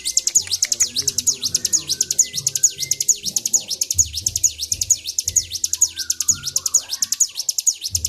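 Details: Bar-winged prinia, worked up and singing without stopping, 26 February 2023. An unbroken, very regular series of high, thin, V-shaped notes at about two per second fills all eight seconds over a soft low rumble.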